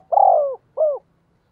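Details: Decoy spotted dove calling to lure wild doves: a long, throaty, slightly trembling coo that falls at the end, then a shorter drooping coo, in a quiet setting.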